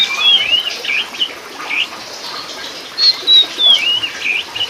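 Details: Kacer Poci, the Sumatran oriental magpie-robin subspecies musicus, in full lively song, delivering quick whistled slurs and buzzy twisting notes in two bursts against constant hiss.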